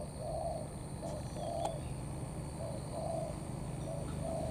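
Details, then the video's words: Spotted dove, a wild-caught bird, singing coos of 'thổ' blended with 'cấn': a steady string of low, mellow coos alternating short and drawn-out notes at roughly one per second, with background hiss. "Bổi Thổ pha Cấn sấm"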